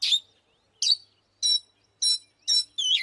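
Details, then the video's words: Oriental magpie-robin used as a fighting decoy, giving short bright chirped notes spaced about half a second apart, each a high ringing burst. "เสียงนกกางเขนบ้านหรือนกบินหลาขี้ควายใต้ 01# Chòe than mồi Kích BỔI ĐẤU || Choè than HÓT - ĐẤU"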